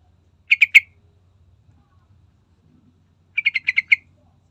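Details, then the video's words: Sooty-headed bulbul played as a lure to set other birds singing. A quick three-note chirping burst is followed by a faster run of six even, clipped notes after a short pause. A soft hum sits underneath. "Pasti Nyaut III Dengar Trucukan Gacor Full Isian"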